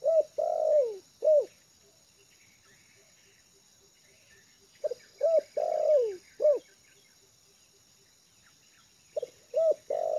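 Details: A spotted dove trained for luring, settled on yard ground, repeats its phrase about every four to five seconds: long wavering downward coo plus short hooked notes, with faint distant chirps and regular soft ticking.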